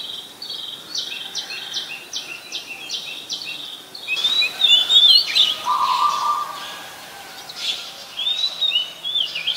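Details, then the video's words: In the wild, an Oriental magpie-robin repeats a short clipped note about six times in steady rhythm, then breaks into rich looping whistled warbles with a lower sustained tone, against quiet surroundings. "Gacornya Suara Burung Kacer di Alam Liar"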